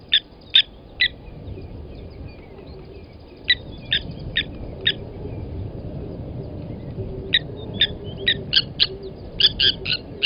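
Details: Blacksmith lapwings at Gowrie dam in the Sabi Sand, South Africa, morning of 29 August 2020, during an adult killing a chick from the nest; sharp tink notes come in loose groups over faint background hum.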